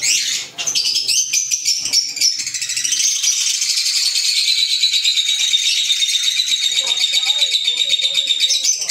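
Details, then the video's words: Pet Fischer's lovebirds, green birds, keep up a fast, rattling chatter of high-pitched squeaks, nearly four notes a second, forming an unbroken, shrill trilling wall of sound. "Fisher Love Birds Sound | African Lovebirds | Green Fisher Love birds Voice"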